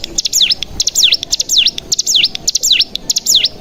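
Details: Cigun (mountain prinia) decoy recording, played to stimulate other cigun to sing: high whistled notes, each sweeping down then up in a V shape, repeated in quick irregular bursts, with a few sharp ticks between them.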